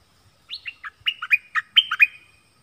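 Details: Nok dok taeng singing a doubled-phrase duel song against wild birds: eight clear whistled notes in about two seconds, alternating high sweeps and lower drops, with a thin trailing whistle and almost no background.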